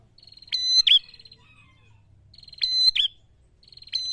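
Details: Prinia; song; provoking rival birds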